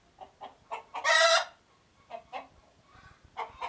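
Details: Chicken alarm sequence, with quick clucks rising into a long, coarse squawk near the start, then more scattered clucks and a fresh squawk beginning at the end.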